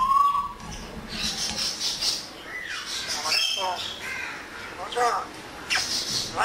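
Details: Pet African grey parrot, said to talk in Urdu and Pashto and to copy whistles and door knocks, gives harsh, noisy squawking bursts of chattering, speech-like sounds after a brief opening whistle, with steady hiss throughout.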